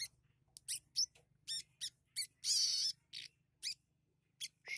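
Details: Kept sunbird whose song borrows from sparrows, prenjak lumut and cieng. Sharp high chirps come every half second or so, with one longer buzzy trill in the middle, over a soft low hum.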